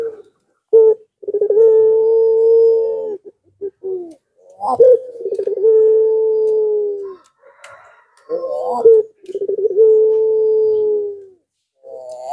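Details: Puter pelung Barbary dove lure call to make reluctant doves respond: three cycles, each opening with short clipped notes before a long, level, sustained coo lasting about two seconds, in a small indoor space.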